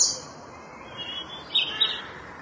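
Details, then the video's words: Manchurian (Korean) bush warbler song: a long, steady high whistle followed by a quick, bright flourish of notes, over a soft outdoor hiss. "휘파람새 소리"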